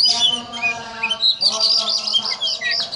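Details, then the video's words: Kacer or oriental magpie-robin singing 'ngobra', likened to a cobra: a short burst of high buzzy notes and quick whistled flicks over steady low rasping tones. "Video Kacer Ngobra Seperti Ular"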